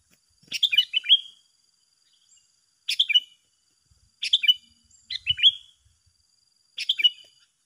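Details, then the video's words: Sooty-headed bulbul in a drawn-out singing duel with a rival: five similar bubbly phrases of rapid chirped notes, repeated about every one and a half to two seconds, with a faint thump between. "Adu Gacor yang tak Terselesaikan Antara dua petarung"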